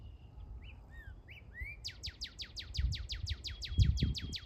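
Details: Northern cardinal sounding like Star Wars effects: a few soft rising slurred whistles, then a long rapid train of about fourteen steeply falling laser-like notes; low thumps and rumble beneath.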